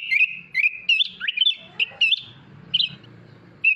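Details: Sooty-headed bulbul, kutilang, with a luxurious filled-in masteran song: bright whistled notes and slides in short bursts, a rasping lower passage midway, then one last whistle.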